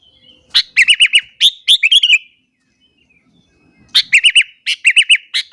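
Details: Sooty-headed bulbul in full morning song, provoking other bulbuls: bursts of quick bubbly chirping notes and warbled whistles, a pause of over a second, then another lively burst of repeated chirps.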